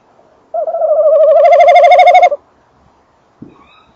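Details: Tawny owl male at and in its nest box with the female audible: one sustained, rapidly vibrating call lasting nearly two seconds, followed by quiet and a brief low knock.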